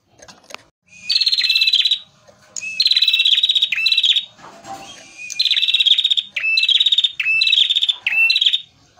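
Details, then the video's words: Lure recording of an actively singing male prenjak merah, a prinia: long runs of dry, buzzing, rattling trills, each lasting one to one and a half seconds, in quick succession with brief gaps. "pancingan prenjak merah gacor jantan full materi"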